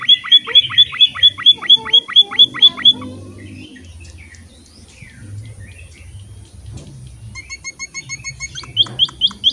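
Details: Emprit (pipit finch) in energetic song for training caged birds: a quick run of high hooked chirps, then a quiet stretch of faint scattered notes, before the steady chirping starts again.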